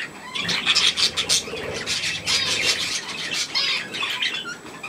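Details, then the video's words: Young budgerigars with millet, 3 May 2024: a dense, raspy warbling chatter with bright squeaky notes, rising and falling in loudness as several birds call together. "Hirse und die Jungen Wellis"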